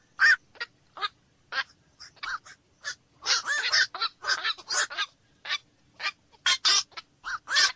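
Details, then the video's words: Several black-crowned night herons croaking together, with short raspy quok notes in irregular bursts that thicken into a busy cluster midway, then scatter again. A quiet background lies beneath. "SUARA BURUNG KOAK MALAM"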